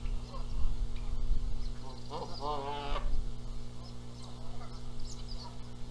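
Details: Canada geese at Rogers Place, Charlo, Montana, on April 14, 2022, quarrelling over who gets to sit on the eggs. A short burst of harsh, stacked honks comes near the middle, over a steady low hum.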